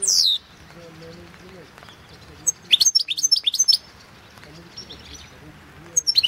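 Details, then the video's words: European goldfinch competition song, 2016 internet world championship, Balkan goldfinch: a sharp high note opens, then after a pause a brief burst of quick tinkling twitters, and a few more high chirps at the end. "World championship in Goldfinch Song 2016"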